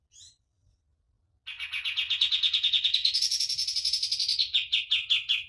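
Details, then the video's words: Common iora singing for bird training: a faint note, a pause, then a rapid chirping trill that climbs into a buzzier, higher section before slowing into separate chirps. "MASTERAN KAPAS TEMBAK GACOR DOR"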